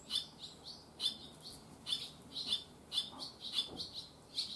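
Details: Barn swallow young on their first day after leaving the nest give sharp, high chirps with buzzy overtones, bunched in short bursts about once a second.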